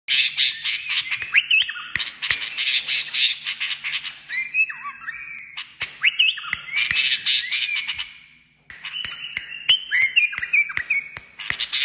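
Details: Kashmiri songbird singing a dense, fast song of twittering notes, buzzy trills and short rising whistles, with sharp clicks scattered through and a brief pause near the end.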